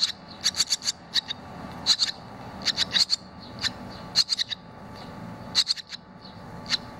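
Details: Young barn swallows leaving the nest, two of them already out and one returning after a short flight; dense bursts of sharp, high-pitched chirps, often doubled or tripled, repeated irregularly throughout.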